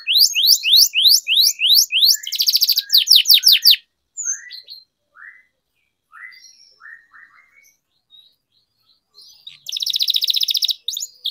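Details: Canary singing-training recording: rapid high trills and a buzzy roll at the start, then a long stretch of sparse quiet chirps, then another buzzy trilled burst near the end.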